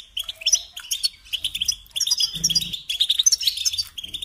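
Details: European goldfinch tutoring song: cheerful twittering with quick chirps and short buzzy trills in rapid sequences, fairly even in loudness, accompanied by a faint low mechanical buzz midway.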